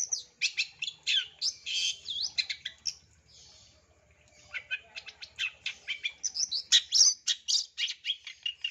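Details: Long-tailed shrike song used as a lure and training sound for birds, a full 'isian tembakan' style: rapid, varied bursts of high chirps, whistled slurs and buzzy notes, a brief pause midway, then renewed fast phrases.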